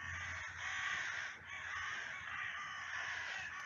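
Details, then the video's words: Crows at a cemetery chase off a buzzard that is stealing their food. They give continuous harsh, grating outrage calls, one long rasping caw running into the next with a brief dip, over steady outdoor noise. "Outraged Crows Drive off the Buzzard"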